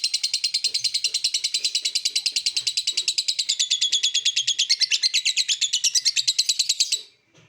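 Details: Lovebird delivering an unbroken 'ngekek' chatter for seven seconds: rapid, rasping high pulses at a steady fast pace, loud and dense, ending suddenly.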